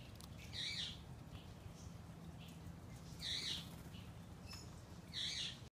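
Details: A male Senegal parrot, indoors on 26 October 2014 and protecting his nuts, gives three harsh, raspy squawks about two seconds apart, each short and high-pitched, over a low steady hum.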